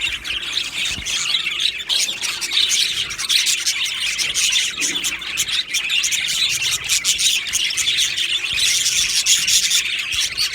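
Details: Budgies in an Australian budgerigar aviary colony on 15 July 2025 keep up a constant high chatter of chirps, trills and squeaky notes, louder again toward the end.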